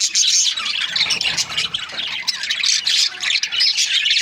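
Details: Breeding pairs of budgerigars, the Australian parrot, keep up a busy wall of shrill chirps and twittering squawks, many voices overlapping without break.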